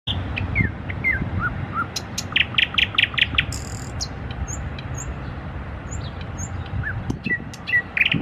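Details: Nightingale trills: slurred whistled notes and sharp clicks, then a fast run of buzzy repeated notes and a dry rattle, followed by thin high whistles spaced about a second apart, over steady low rumbling background noise.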